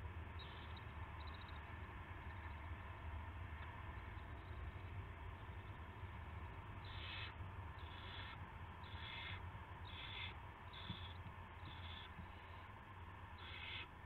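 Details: Owl at a nest before dawn on 9 March 2016, an adult bringing a rat: after faint early sounds, a run of seven short harsh hissing screeches roughly every second over steady low hum.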